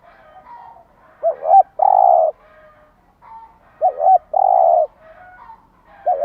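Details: Cooing of a spotted dove in the morning, meant to stimulate caged birds: two full phrases of a double hooked coo then a long steady low coo, separated by quiet gaps, plus the start of a third.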